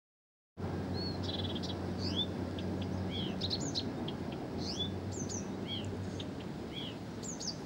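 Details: Blyth's reed warbler singing without pause: varied high whistled and slurred notes, some rising and some falling, in quick succession after a silent start, over a steady low hum.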